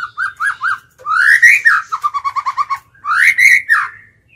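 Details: Decoy white-rumped shama in training, singing to lure wild males: three quick whistled notes, a loud rising slur into a rapid rattle of even notes, then another bright rising-falling whistled phrase.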